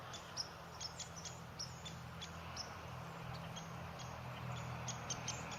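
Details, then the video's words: A woodpecker making its nest chisels with sharp, dry knocks, about two a second and unevenly spaced, over a steady low hum. "A woodpecker makes a nest / How a woodpecker knocks / Sound of a woodpecker"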